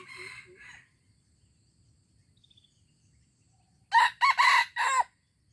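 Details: A junglefowl in Aceh, 25 April 2020, with a softer two-part raspy call at first, a near-silent gap with faint chirps, then a loud crow of four coarse, choppy bursts.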